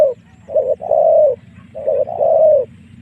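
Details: Spotted dove lure coos meant to pull wild doves in to fight, given as two phrases of a short note followed by a long, smooth, slightly falling coo over a low hum.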